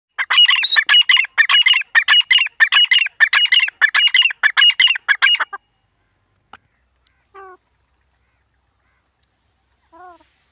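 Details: Grey francolin from Pakistan: a fast, loud run of harsh, rhythmic phrases lasting about five seconds, then silence with a few faint short notes.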